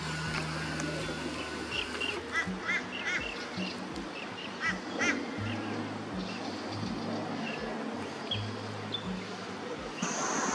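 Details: Rainbow bee-eater (Merops ornatus) feeding near water in Australia during afternoon and sunset, giving a loose series of quick, rolling chirrups, several closely bunched, amid a busy background of hiss and a pulsing low engine-like drone.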